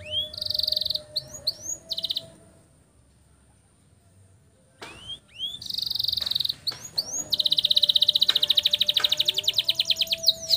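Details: Canary long-roll master song for young canaries: short trilled phrases and slurred notes, a pause of about two seconds of quiet, then more phrases building into a long, even, rapid trill.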